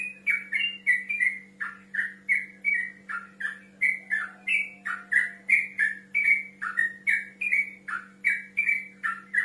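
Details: Rival-calling song of a male yellow-vented bulbul: a long, lively sequence of quick bubbling whistles, evenly paced at about three per second, with slurred up-and-down notes and a low background hum.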